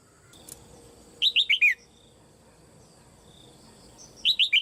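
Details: Caged female red-whiskered bulbul calling to spur other birds into song: a clear four-note series of sliding, downward whistles, a pause of about two and a half seconds, then the same bright pattern starting again.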